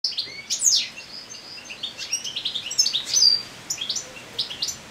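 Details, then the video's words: European goldfinch singing its natural song in late summer while moulting; quick twittering high notes, buzzy trills and short tinkling phrases in a fast, jumbled stream over faint background hiss. "Goldfinch singing naturally song"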